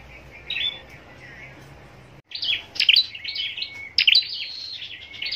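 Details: Caged scarlet-backed flowerpecker kept for singing contests near Long Thành, southern Vietnam; a faint chirp, then a pause before bright, high, rapid twittering notes in quick bursts.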